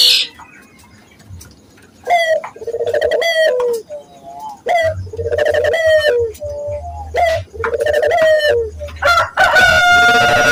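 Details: Barbary dove coos for training local doves: after a quiet start, a run of rolling coos with falling endings and sharp short notes between, ending in a bright higher call.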